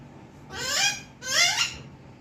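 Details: Pet Alexandrine parakeet learning to speak, uttering two drawn-out raspy voiced syllables, each rising then falling with speech-like harmonics, about half a second apart, indoors.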